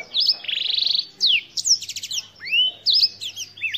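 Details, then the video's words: Black-throated canary singing a fast, varied phrase: high whistled chips and sweeping slurs, then a dense buzzy trill of rapid repeated notes near one second, followed by rising and falling whistles and twisting high notes to the end. "BlackThroat - Canary BlackThroat Sound"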